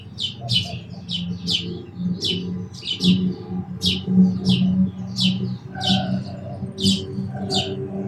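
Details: Sparrow producing a busy stream of short high chirps, sometimes in quick pairs, with a strong steady low drone underneath.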